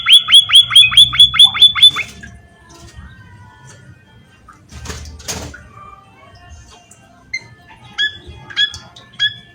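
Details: Munia in natural surroundings. It gives a rapid series of about eight sharp, high chirps in two seconds. A loud door-like thud and rustling follow, then scattered short chirps near the end.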